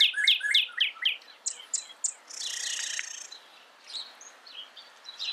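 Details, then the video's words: Northern cardinal song: a quick run of sharp downslurred whistled notes, about four per second, dropping from high to middle pitch, followed by a burst of hissy noise and scattered faint high chirps. "SOUND CARDINAL NORTHERN BIRD"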